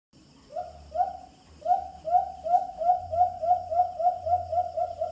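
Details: White-eared brown dove (Phapitreron leucotis) call used via speaker as a hunting lure: a soft, low hooting series, notes quickening and running together into a rapid, even string of coos.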